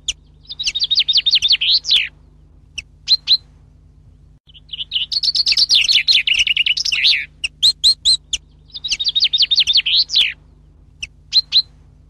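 Common chaffinch singing bright, fast trilled phrases that tumble downward and end in a quick flourish.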